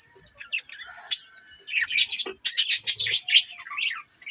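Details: Budgies give soft twitters that build into a loud run of quick harsh chirps, about five in a row, then fade to scratchy warbling, with a steady high whine throughout.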